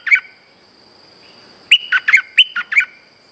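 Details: Streak-eared bulbul kept in a cage, its song used to lure birds for trapping: one lone chirp, then a lively phrase of six sharp, chirpy notes. The background is quiet.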